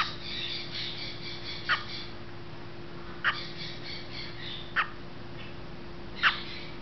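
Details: Great green macaw at a macaw sanctuary in Costa Rica giving four short, harsh, raspy squawks about every one and a half seconds, over a steady low mechanical hum.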